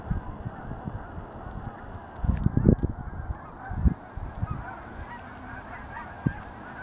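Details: Geese at an Altus, Oklahoma reservoir heard more distantly, a low murmur of honks with a short louder cluster of calls in the middle and a single honk near the end.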